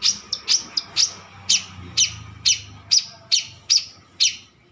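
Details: Mature long-tailed shrike calling repeatedly: sharp high chips spaced about half a second apart, slightly irregular, over a faint low background hum.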